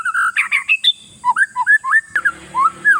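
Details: Kacer, or oriental magpie-robin, singing to unsettle rival birds: rapid scratchy notes, then clear rising and falling whistles, with a brief rattling noise in the second half and a thin constant hiss behind.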